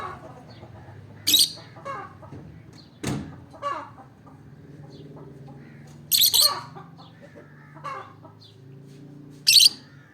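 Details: Olive peach-faced lovebird giving three sharp, piercing high shrieks spaced about three to four seconds apart, with softer chattering notes and a faint low hum in between.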